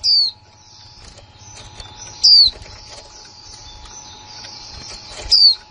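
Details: Newly acquired female white-eye, recorded in 2020, giving 'líu' notes: three sharp, high descending whistled slurs spaced about two to three seconds apart, with faint chatter and a steady low electrical hum behind.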